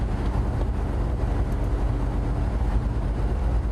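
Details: Dense low-pitched vehicle engine drone fills the recording throughout, with no animal calls audible.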